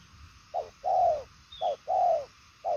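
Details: Đồng son chân tím spotted dove, said to coo very well, giving alternating short and drawn-out falling coos at a brisk, even pace, with a faint high chirp in the background.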